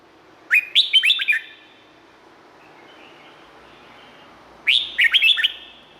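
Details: Two bubbly phrases of fast, liquid whistled notes from a red-whiskered bulbul in Thailand, about four seconds apart, over a faint background hiss.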